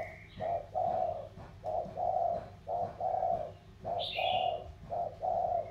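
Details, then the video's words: Contest of 'thổ'-voiced spotted doves, a delta bird from Sóc Trăng versus a Cam Ranh mountain bird. Steady low coos repeat almost every half second in pairs. A sharp descending chirp from another bird cuts in near the end. "Cu gáy Thổ đấu thăng thiên"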